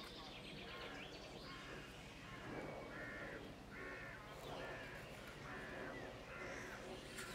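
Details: Nestling white storks being fed, begging with repeated hoarse, grating bursts about once a second, each roughly half a second long, while small birds chirp and a constant low rumble runs beneath.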